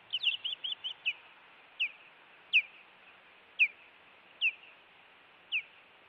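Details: Montana nest-cam osprey during an intruder incident, 16 June 2017: a flurry of quick high chirps, then spaced, falling whistled notes roughly once a second over a faint hiss.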